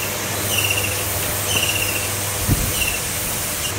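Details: A common kingfisher feeding its young gives three thin, high, drawn-out whistles about a second apart, over a steady low engine-like hum and one soft thump.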